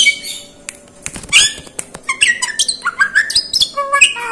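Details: Caged Asian pied starling, a clever mimic of other birds and human voices, delivering a rapid jumble of squawks, chirps and short whistled notes that rise and fall in quick bursts.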